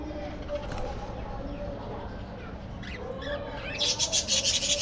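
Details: Budgerigars in a spacious aviary, flying and playing: soft warbling chatter with short rising notes, then a burst of rapid, high, buzzy chirps near the end over steady background hum.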